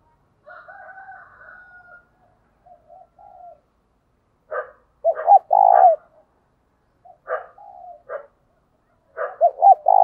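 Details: A spotted dove used as a lure bird coos in the thúc and gáy gọi styles. A faint higher drawn note opens, then bursts of clipped notes and loud, rolling low coos follow, set apart by quieter murmurs. The background is clean.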